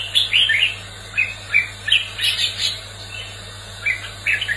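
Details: Red-whiskered bulbul in competitive singing, a bright warbled phrase of short rising and falling chirps in bursts, with a steady low hum beneath.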